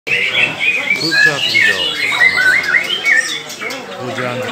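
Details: Green leafbird singing in Kuningan, 29 March 2024; a rapid, continuous stream of varied warbled whistles and chattering notes, rising and falling, with a faint murmur of voices behind.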